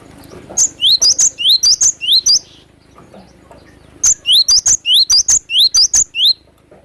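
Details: Glatik batu, the cinereous tit, recorded in the wild giving two rapid runs of piercing, high, downslurred two-note phrases. The runs are about seven phrases each and separated by a short pause.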